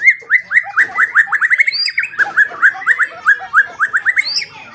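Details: White-rumped shama used as a morning and evening training and lure recording for songbirds: quick series of short rising whistled notes, repeated about four times a second, with a few higher squeaks.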